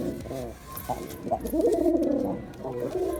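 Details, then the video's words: Performing male Girabaj pigeon cooing continuously, low throaty rolling notes that swell in the middle and fade, with several short coo pulses before and after. "Pigeon Sound Effect || Male Pigeon Super Performance || Girabaj Pigeon"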